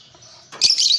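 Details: Fischer's lovebird, a lovebird kept as a pet, giving a burst of shrill, high chattering chirps after a short soft lead-in, with a faint background hiss.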